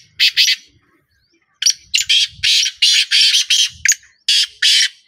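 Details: Black francolin calling in a fast, rasping series: two grating notes, a pause, then about nine harsh buzzy syllables in quick succession, loud and close.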